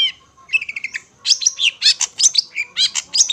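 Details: A master song for hand-fed young Long-tailed shrikes. It opens with a short rapid trill of paired notes, then loud scratchy chirps and squeaky whistled phrases follow in quick succession.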